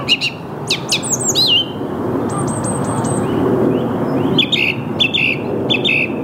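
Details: Song thrush at dawn in Saarn-Mendener Ruhraue, Mülheim an der Ruhr, 8 March 2022, 08:10, Canon EOS R5: sharp high notes, a thin trilled phrase repeated five times, then a brief chirp phrase given three times in a row.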